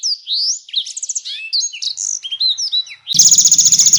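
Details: Canary song used to train champion songbirds such as magpie-robins, with konin and blackthroat phrases: three seconds of rapid high whistled slurs and twitters, then a loud harsh pulsed rattle at the end.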